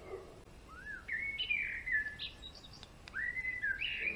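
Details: Male European greenfinch singing: a string of clear whistled phrases, some sliding upward and others held level or falling, with brief higher notes between them and little background noise.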